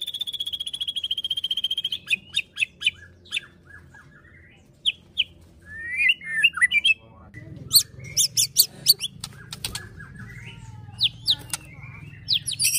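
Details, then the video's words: White-rumped shama, fighter-style song, captive: a long steady high whistle for two seconds, then spaced single chirps, followed by clusters of sharp, buzzy high bursts over a faint low hum. "MURAI BATU PASTOL FIGHTER PEMANCING EMOSI MURAI BIAR NGEPLONG"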